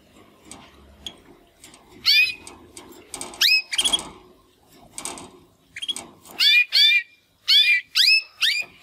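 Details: Young male Timbrado canary practising song after its first molt, one of two brothers: scattered, hesitant bursts of sharp downslurred chips and short notes separated by pauses, over quiet indoor background rustling.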